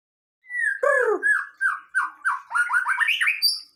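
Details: White-rumped shama singing energetically: a long downslurred whistle, then a burst of rich descending notes and a quickening run of short slurred whistles that climb in pitch toward the end.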